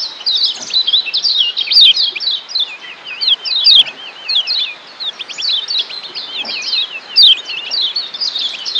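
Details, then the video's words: Lombok yellow white-eye (kecial kuning) training song from Lombok, used to shift a bird's ngeriwik style to ngeplong: a continuous high warble of rapid twittering notes and wavy whistled trills, with brighter sharp accents around two and seven seconds. "Masteran Kecial Kuning TERBARU‼️Ampuh MERUBAH Kecial NGERIWIK Jadi NGEPLONG‼️"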